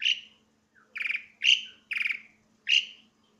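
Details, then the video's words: Asian pied starling singing loudly, a series of five harsh, buzzy notes with strong harmonics, some short and clipped, others trailing off, spaced roughly half a second apart over quiet background hum. "burung jalak suren bersuara nyaring"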